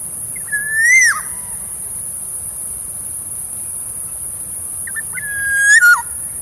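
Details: Black-naped oriole kept as a decoy bird gives two fluty whistled phrases about five seconds apart, each a level whistle that rises, then drops sharply at the end, over a constant high-pitched hiss.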